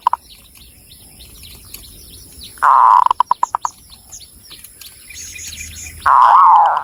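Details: Local Javanese zebra dove in Cilacap, Central Java, giving a loud rolling burst followed by a decelerating series of pulsed notes, then another rough rolling phrase near the end, with faint high chirping of small birds throughout.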